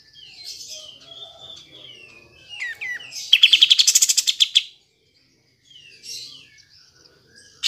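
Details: Kapas tembak bulbul singing, played to goad lazy birds: varied whistled slurs and chirps from several birds, then a loud rapid-fire burst of clipped, evenly repeated notes lasting about one and a half seconds, ending abruptly.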